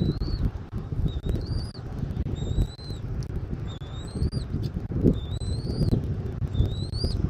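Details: Thin, high whistles from a bald eagle at its Southwest Florida nest, 13 January 2024 at 14:17, each rising then falling, repeated steadily about every second over persistent low wind roar.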